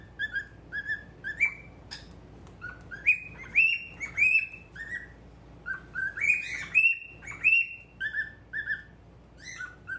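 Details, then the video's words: Normal grey male cockatiel at a mirror, chattering whistles almost continuously for ten seconds: level piping notes, upward slides and brighter high whistles, with faint clicks between, in a quiet room. "鏡とちくわ♂ Mirror and Chikuwa♂"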